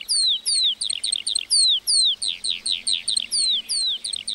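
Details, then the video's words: Singing lark in a meadow: rhythmic, evenly spaced high notes, mostly sweeping downward slurs and rapid chirps, roughly two or three per second, in a lively unbroken sequence. "Singing lark in the meadow"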